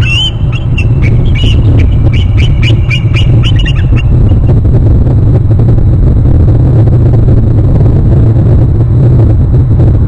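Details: An eagle on its nest territory on Hornby Island flies off inland and calls: a quick series of high, thin piping notes for about four seconds, over a constant heavy low rumble of wind or traffic.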